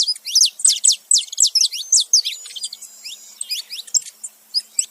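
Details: Saffron finches, a male and female side by side, making noise: a loud run of sharp, high descending chirps at first, then softer scattered twitters.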